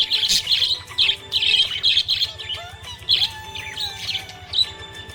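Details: Happy budgie producing a string of bright, scratchy chirps and short warbles, closely spaced, over quiet rhythmic music.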